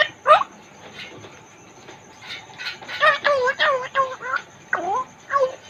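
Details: Caged African grey parrot, a Congo grey, talking: a run of voice-like harmonic syllables, a sharp opening note then a busy burst of bending, wavering sounds in the last three seconds, with quiet pauses between.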